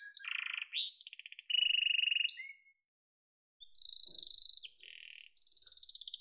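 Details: Yellow canary singing trilled and buzzy phrases, including a steady rapid rattle, then a pause of about a second before higher fast trills resume.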